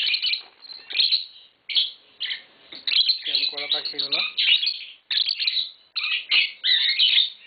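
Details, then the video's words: Tame green Fischer's lovebird pair singing: rapid bursts of shrill chirps and twitters, nearly continuous, with a lower, nasal chattering passage in the middle. "Lovebird Singing & Chirping Sounds - Green Fischer Pair"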